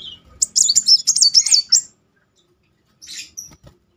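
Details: High, rapid, wavering rolling trill of a kolibri muncang sunbird lasting about a second and a half, followed after silence by a short buzzy chirp; recorded as a lure to make a stalled bird sing.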